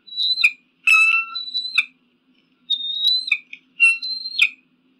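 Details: Eagle calling in short bursts: high thin whistled notes mixed with harsher, ringing notes, grouped in two clusters with a quiet gap between them.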